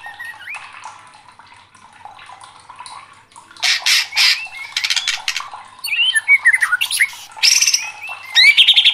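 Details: An agitated white-rumped shama, stirred up and singing loudly. Soft chatter builds into harsh rasping bursts, mixed with sharp whistled slurs and rapid scratchy phrases that grow louder toward the end.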